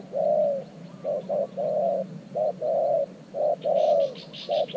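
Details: Caged spotted dove used as a new decoy bird with an earthen trap to lure wild doves in Thailand: mid-pitched, hollow coos, a short note followed by longer drawn-out ones, in an uneven rhythm, with faint chirps of other birds.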